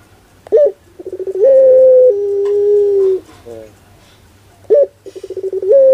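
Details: Barbary dove with a 'pelung' coo, a short upslurred note then quick pulsing notes swelling into a long sustained tone that steps down slightly and holds, followed by the start of another phrase.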